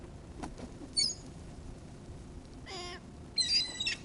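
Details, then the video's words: Seagulls being fed give a harsh, rich squawk in mid-clip, with brief thin high-pitched squeals before and after it, over a steady low background rumble. "Feeding the seagulls"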